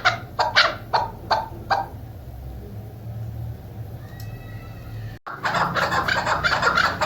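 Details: A female chukar partridge, used as a hunting decoy, gives a quick run of harsh, clucking notes, about three per second. A quiet pause follows, then a denser burst of overlapping chattering calls.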